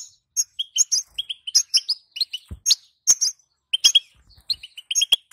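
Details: Twittering call of a female European goldfinch, intended to prompt males to sing: sharp high chirps in uneven clusters, with a dull knock partway through.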